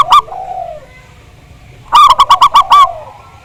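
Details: Loud zebra dove song intended to coax other birds to sing: a short sharp note and low coo, a pause, then a vigorous run of seven quick rough-toned notes ending in a falling coo.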